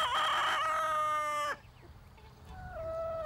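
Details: Chicken: a farmyard rooster's loud, rich crow rings out for about a second and a half, then breaks off sharply, with a fainter, drawn-out call near the end. The farmyard wakes to this crow every morning; he crows to show he is strongest on his territory and rules over his hens.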